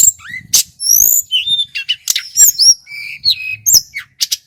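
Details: Local male Sunda whistling thrush from Merapi singing loudly: bright, high whistles sliding up and down, mixed with sharp chips and short trills in quick, varied phrases.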